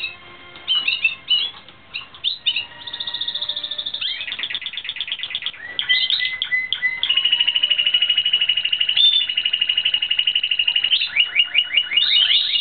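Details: Timbrado Espanhol canary song recorded during training in 2016: a long, fast rolling trill of clipped high notes that shifts into a steady metallic whistled tour and ends with quicker chopped notes.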